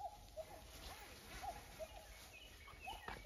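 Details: Common cuckoo known for its off-key voice, present again this year, repeats three quick two-note calls, a high short note and a lower held one, over steady hiss and rustling.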